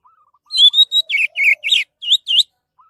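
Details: Orange-headed thrush in full song, used as a lure for other birds: about eight rapid phrases, first high pure whistles, then scratchy, falling notes and bright upslurs, with a soft low whistle in the background.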